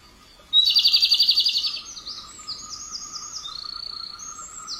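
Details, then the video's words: Robin song: a sudden loud pulsed trill for a second, followed by quieter sliding high whistles and a softer rapid chatter, over a low steady drone. "burung robin"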